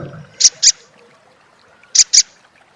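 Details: Olive-backed sunbird giving its crecet chattering call: two pairs of sharp, very high, dry chips, each pair quick and clipped, the pairs about one and a half seconds apart, with faint low rumble at the start.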